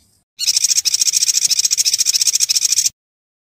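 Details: Yuhina song used as training audio to give a white-rumped shama more variety: a dense, high, chattering run of rapid twittering notes, about three or four a second, lasting some two and a half seconds, with no other sounds.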